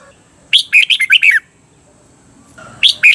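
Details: For training caged red-whiskered bulbuls in Thailand to sing the doubled 'beun' style: one bright phrase of six warbled notes that swoop and fall, a long quiet gap, then another phrase starting.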